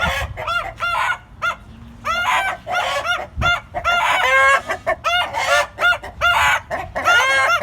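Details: Funny rooster sounds: quick runs of short arched, harsh clucks delivered in bursts, close and loud, with a faint low thump partway through.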